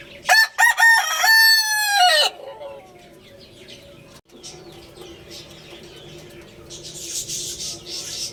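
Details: Crowing Lohmann Brown rooster: two quick clipped notes, then a sustained, strongly harmonic crow that drops at the end. Afterwards there is a quieter background of chirping birds and a steady low hum.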